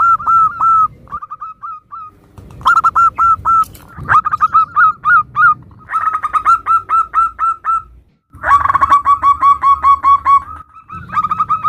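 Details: Zebra dove of local stock singing in a compilation meant to prompt other doves to reply; long runs of quick, clipped, whistled notes at steady pitch, several rapid series separated by brief pauses.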